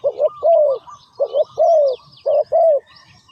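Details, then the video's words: Spotted dove, linked to decoy trapping, giving low mellow cooing phrases: a short double coo followed by a longer drawn-out, slightly falling croo, repeated three times in quick succession, with faint high twittering from other birds behind. "Sound Of Spotted Dove"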